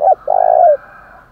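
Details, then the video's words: Part of a spotted dove's 'thổ đồng' challenge coo, given to urge fighting. A brief clipped note is followed by one long, even coo that slurs downward as it ends. "tiếng chim cu cườm THÚC đấu vang cả buôn làng"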